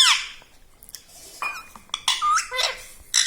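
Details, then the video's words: Pet talking parrot indoors in a small room, scattered short squeaky and squawky syllables, a bright high burst at the start, then rising and falling harmonic notes with quiet gaps between them. "Mittu Bolne Wala Tota || Talking Parrot || Mummy Mummy"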